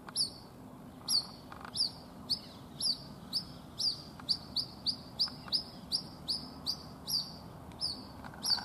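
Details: White-breasted waterhen chick in Rajasthan, India, separated from its mother at a house and calling non-stop: a steady series of high, thin, downslurred peeps, about two per second, over a quiet background hum.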